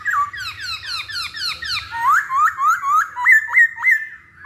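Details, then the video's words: Masked laughingthrush song used as a lure to make birds sing: a fast run of slurred whistled notes, first falling then sharply rising, repeated about three times a second, with low background rumble. "Pancingan Poksay Hongkong Paling Ampuh"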